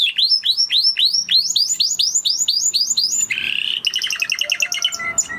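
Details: Spanish Timbrado canary, original breed, in song: repeated rising-then-falling whistled notes, then a short buzzy rattle, followed by rapid bubbling trills and thin piping tones.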